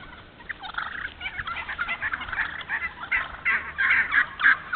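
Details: Wild turkey vocalizing in a thinned hardwood-savanna stand in Moore County, North Carolina. Raspy, irregular yelp-like notes build in loudness across the clip, several overlapping and dense toward the end.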